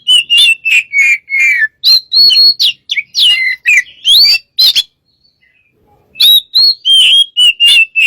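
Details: White-rumped shama, caged and used as a lure, singing a fast series of loud whistled and chattering notes, pausing about a second before resuming with clear repeated whistles.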